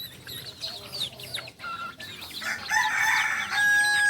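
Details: Chirping small birds open. Then a Kukuak Balenggek rooster, a singing chicken native to Solok, starts a loud, buzzy crow that swells and holds a steady, drawn-out final note.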